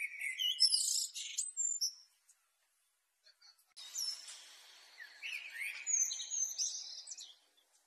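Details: Black flycatcher in full song, recorded as a training master for pet birds: two bursts of high, rapid chirps, twitters and thin whistled slurs, with a short pause between them.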